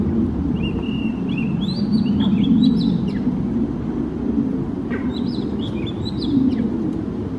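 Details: Singing Oriental magpie-robin in Singapore, each bird with its own unique tune: bright whistled phrases of level and rising notes with sharp clicks, a gap, then more whistles, against a steady low rumble.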